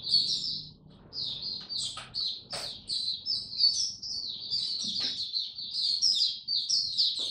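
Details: Oriental white-eye, a kept hobby songbird recorded 26 November 2022 during a song display after a light dose of health supplement; rapid high, thin twittering warble runs almost without pause, with brief clicks and low background room noise.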